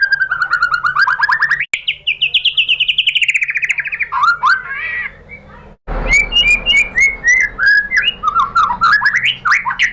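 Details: White-rumped shama (murai batu) song used as a lure to provoke other shamas to sing: fast runs of repeated chirping notes, a long wavering trill, two abrupt silent breaks, then varied quick whistled and chipping phrases.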